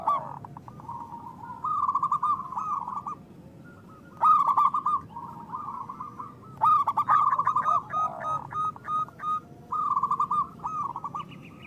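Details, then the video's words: Local zebra dove with a big voice, kept as a lure for catching birds and prompting lazy singers: several bursts of fast stuttered cooing separated by quieter gaps, with lower swooping notes mixed in. "Perkutut lokal gacor Suara Besar Pancingan Untuk Pikat dan Malas Bunyi"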